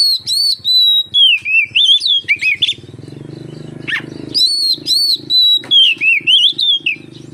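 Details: Oriental magpie-robin singing as a lure for other magpie-robins: two bursts of fast whistled and warbled notes, sliding up and down, split by a gap filled with a steady low drone.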